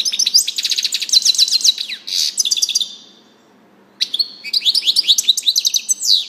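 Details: European goldfinch song made of long runs of fast, liquid twittering and sweeping notes. It includes a short buzzy burst, breaks off into a second of silence, then restarts with lively tinkling phrases.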